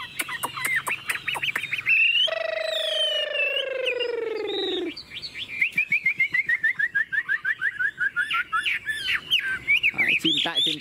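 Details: Caged Chinese hwamei in Tuyên Quang, Vietnam, with a wild-type voice: rapid whistled notes, then a long nasal, harmonic drawn-out tone sliding slightly down, followed by fast clipped chattering notes and twisting whistles.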